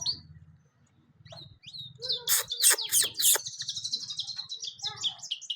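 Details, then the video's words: European goldfinch singing: hesitant single whistles at first, then a loud cluster of sharp, harsh chips followed by quick, bubbling high twitters, over a faint low rumble. "golden finch singing nicely طيور الحسون الذهبي تغني بشكل جميل"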